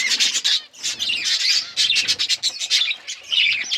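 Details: Budgerigars of colour varieties with chicks growing: loud rapid chirps and squawks in quick pulses, nearly nonstop, forming a busy aviary chorus.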